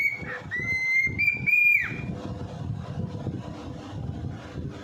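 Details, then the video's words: Pet parrot kept indoors, whistling to show off for his brother: a few clear sustained whistles, each slightly higher, lasting about two seconds over steady rumbling background noise. "Momo The Bird Shows Off His Pipes For His Brother"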